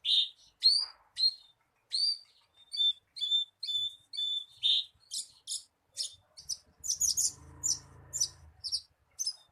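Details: Javan bushlark song to make a kept bird sing sooner: starts with a buzzy note, then repeated whistled chirps about twice a second, ending in harsher high bursts over a low hum.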